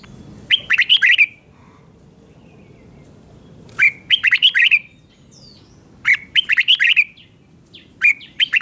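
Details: Red-whiskered bulbul singing the doubled song style meant for young birds to copy: four short phrases of quick, sweet, fluting and chattering notes, repeated roughly every two and a half seconds over a quiet background.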